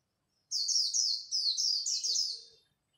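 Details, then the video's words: Dawn competition song of a Japanese white-eye in khuyên líu style: a continuous two-second stream of very high, fast, down-slurred twittering notes in two close phrases. "Khuyên líu đấu lúc bình minh, kích bổi mau nổi!"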